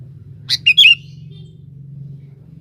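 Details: Sooty-headed bulbul calling a rival for use as a lure: one short phrase of a sharp note followed by two liquid whistled notes, then quiet with a low droning hum.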